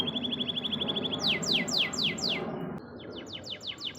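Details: Caged canary song as tutoring material for songbirds: an evenly repeated high trill followed by five bright falling sweeps and a softer series of similar downward slurs, with low background hum throughout.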